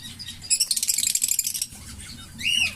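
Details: Green Fischer's lovebird pair singing and chirping: a rapid burst of high buzzy chattering notes for about a second, a pause, then a shrill curving chirp with a downward-sweeping tail.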